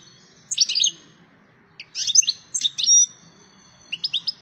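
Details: Wild European goldfinch (Carduelis carduelis) singing to seek a mate: three quick bursts of bright, tinkling twitters mixed with thin drawn-out whistles, high-pitched and lively, with a faint low murmur underneath.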